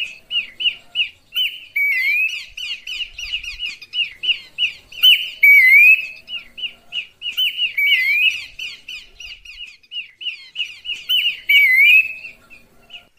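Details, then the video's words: Lure call of Horsfield's babbler for attracting birds, sung clearly: steady stream of short, high chattering notes with occasional upward-sliding whistles and scratchy bursts, continuing for over thirteen seconds. "suara pikat burung pelanduk semak jernih"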